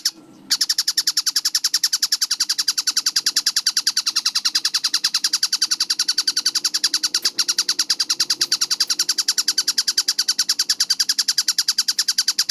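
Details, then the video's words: Tengkek buto, a kingfisher, in a clear, fast masteran recording dated 4 August 2026: after a brief scratchy opening noise, a sustained rattle of strident chattering notes runs at roughly three and a half per second to the end. "MASTERAN TENGKEK BUTO GACOR SUARA JERNIH SPEED RAPAT"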